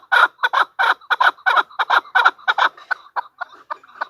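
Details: Female chukar partridge calling with strong, harsh paired chuck notes that turn softer and more spaced in the final second.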